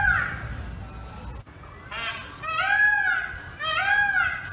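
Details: Indian peafowl during a peacock dance: loud, nasal, arched calls in quick succession, each rising then falling, with a muffled noisy stretch before them.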